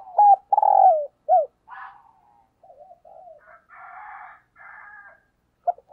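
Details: Caged decoy spotted dove cooing 'thúc gù', used to lure wild doves: a loud burst of hooked coos and a long falling coo at the start, then soft murmurs and harsher, broader buzzy calls before a final short coo.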